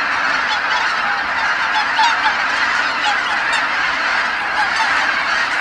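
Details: Tens of thousands of wild geese return at dusk to Kabukuri-numa marsh after sunset, calling all at once as they come back from feeding. A dense, unbroken chorus of overlapping honks fills the whole clip at steady loudness.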